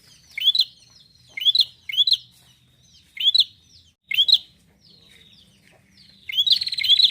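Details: Gacor (persistently singing) bar-winged prinia song: sharp, high upslurred chirps repeated at irregular intervals of roughly half a second to a second, ending in a brief buzzy rattled burst. Background otherwise quiet.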